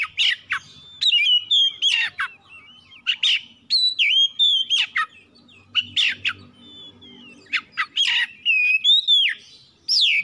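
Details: Oriental magpie-robin song used as a lure to provoke other birds to sing: loud varied whistles, sharp chirps and rising and falling slurred notes in quick bursts, with brief pauses between phrases.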